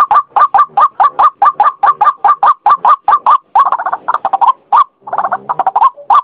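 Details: Lure call of a white-breasted waterhen, known locally as ruak-ruak: rapid, steady croaking notes that merge into a denser, more ragged stretch near the end.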